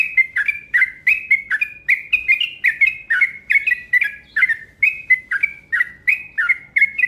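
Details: Yellow-vented bulbul calling fast and steadily as a provoking lure: bubbly, slurred two- and three-note phrases repeated without pause, roughly three per second, each dipping then rising, over a quiet background.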